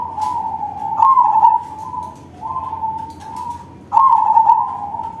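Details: Crossing-bred zebra dove with a big voice in full song: a series of low, steady, slightly trilled coos, loud warbling phrases alternating with softer flat notes, about four phrases in five seconds.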